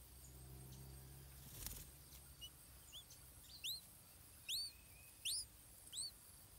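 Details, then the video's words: Stripe-throated bulbul chick begging while its mother brings insects to feed it; thin, high, rising-then-falling squeaky notes repeated irregularly, some doubled, with a brief rustle early on. "Hungry Chick"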